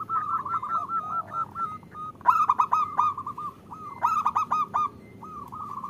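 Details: Zebra dove hen calling the male, used to prompt males to sing. Dense, overlapping phrases of quick repeated cooing notes, punctuated by two loud clipped stuttering bursts near the middle and later.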